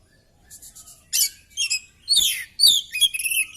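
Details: Oriental magpie-robin in a fighting display with its tail fanned, delivering its song material: faint ticking notes, then loud harsh chattering phrases woven with clear slurred whistles.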